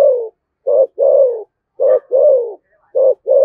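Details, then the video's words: Cooing of a spotted dove in the 'thổ sấm' voice style, 'thúc gù' pattern, Đosng Nai, Vietnam. Low hollow coos, each pair a brief note followed by a drawn-out descending one, three pairs close together with nothing else heard. "cu gáy giọng thổ sấm Thúc Gù bài bản chuẩn nhất Đồng Nai"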